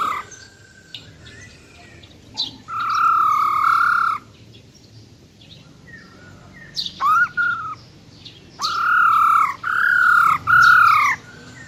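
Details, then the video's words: Silver-eared laughingthrush female giving wild-style song to excite males: sustained even whistled notes alternating with short sharp upslurred notes, ending in three quick arched phrases. "Tiếng Chim Khướu || Khưới Mái Bạc Má RO RO || Giọng Rừng Hót Chuẩn - Kích Trống Lên Lửa Cực Nhanh"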